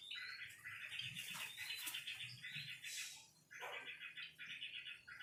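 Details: White-rumped shama song: dense runs of rapid chattering notes and trills, with a brief pause midway before the phrases resume, over a faint low hum.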